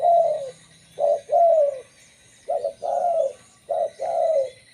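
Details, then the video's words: Rhythmic cooing of a local zebra dove, used for luring others: each phrase pairs a clipped burry note with a longer trilled coo that slides down, repeated about every one and a half seconds. "MASTERAN suara burung perkutut lokal"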